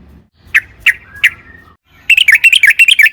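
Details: Sooty-headed bulbul, lure song meant to set a bulbul singing: three sharp chirped notes about a third of a second apart, a pause, then a fast burst of tumbling whistled notes.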